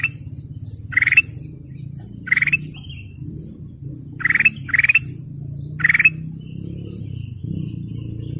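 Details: Golden canary producing spaced buzzy chirps, single or paired, every second or two over a low steady hum.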